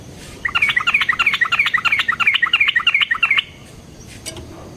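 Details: Sooty-headed bulbul giving an energetic fighting song with long rolls, used as a lure to make other bulbuls answer: a fast run of bright chirpy notes, about twelve in three seconds, then quiet.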